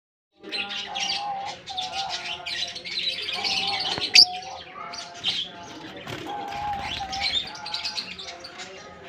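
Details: African lovebirds in a colony: many overlapping shrill chirps and twitters, rising and falling in busy bursts with one sharp click, over a steady low hum.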